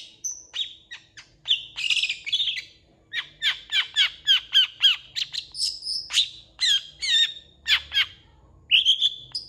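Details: Long-tailed shrike in lively song, a mix of harsh squawky notes, sharp chirps and short whistles, strung into rapid, irregular bursts with little pause.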